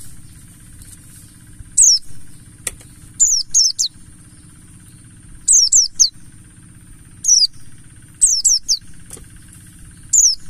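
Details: Mountain white-eye of the buxtoni type, wild-style bird, used as a lure to make other white-eyes sing: high thin descending whistles in quick bursts of two to four, spaced irregularly, over a constant low hum.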